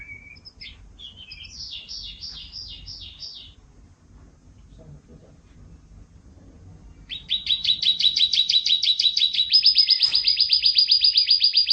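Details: Canary song from a long champion-style master recording, full of fills: short high twittering phrases, a pause of about three seconds, then loud fast trills that shift into a steadier, higher, buzzy trill to the end.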